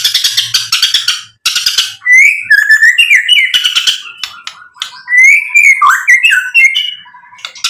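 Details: Energetic white-rumped shama song meant to rile rival birds into replying. It opens with harsh, noisy rasping bursts, then moves into warbled whistles that rise and fall, mixed with quick twittering notes.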